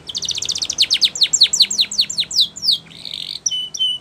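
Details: Spanish Timbrado canary singing a training song: a rapid, even series of falling notes, about a dozen strokes that gradually slow, ending in a broad buzzy roll and thin steady whistles.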